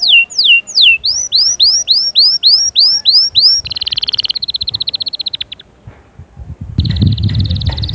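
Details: Singing canary meant to push chicks into song and prepare females: loud downslurred whistles, a run of rising upswept notes, then a fast rattling trill, a brief gap and another buzzy trill over low rumble.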